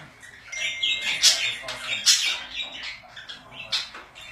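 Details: Pet budgerigars giving harsh squawks and buzzy warbles, with a faint steady tone in the background.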